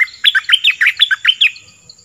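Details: Orange-headed thrush, southern type, in song used for luring wild birds and training young birds: one dense, fast phrase of about nine clear rising-and-falling whistled notes, fading away.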